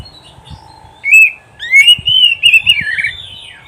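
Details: Song of an oriental magpie-robin for training pet birds to sing: after a quiet start, a loud rising whistle, then a continuous flowing series of slurred, warbled notes.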